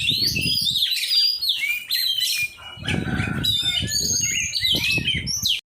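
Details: Oriental magpie-robin (kacer) singing during a group training session with other kacer keepers: dense, varied high whistles and chirps, with rapid sweeping notes, over low thumping and rumbling noise.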